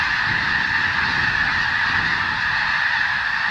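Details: Massed snow geese feeding on newly sprouted wheat, Skagit Delta, Washington State, during hazing with bird bombs. An unbroken babble of high honking calls, many birds at once, steady in volume.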